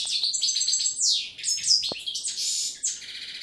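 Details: Pair of hand-reared, caged European goldfinches with 2013 leg rings, trained in clean song style (cante limpio); dense, fast twittering of high buzzy trills and sweeping chirps, continuous and varied with short tinkling notes.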